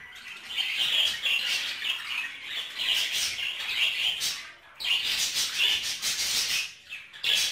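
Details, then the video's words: Mating budgerigars in a cage keep up a harsh, squawky chatter of rapid high chirps in uneven waves, with a brief pause near the middle and a sharp loud burst at the end. "تزاوج البادجي داخل القفص"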